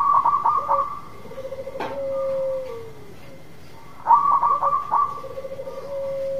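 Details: Lively local zebra dove singing to tempt a dove that has stopped calling. Two phrases of rapid clipped notes each run into a drawn-out lower coo that falls away. A sharp click and a constant low hum are also heard.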